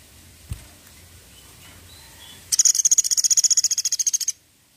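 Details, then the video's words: Pelatuk sampit woodpecker delivering a 'tembakan' call: one faint thud early on, then a quick machine-gun series of around twenty piercing high-pitched notes lasting nearly two seconds before an abrupt cut to silence. "SUARA TEMBAKAN PELATUK SAMPIT"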